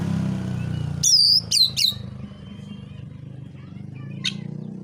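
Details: Oriental magpie-robin in provocative fighting song; three loud whistled notes that slur downward, then a single sharp click, against a constant low droning background.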